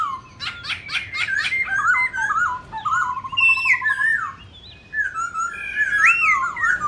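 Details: ['Fighting song of a black-throated laughingthrush, varied and multi-voiced, used to provoke other birds. Sharp chattering notes open the phrase, followed by a buzzy rattling trill and rich, gliding whistles rising and falling.']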